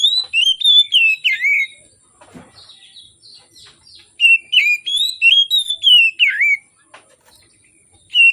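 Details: An Oriental magpie-robin sings in the morning, a lure for birds slow to sing: fast series of loud, varied whistles with sliding, swooping notes, in two long bursts split by a quieter pause.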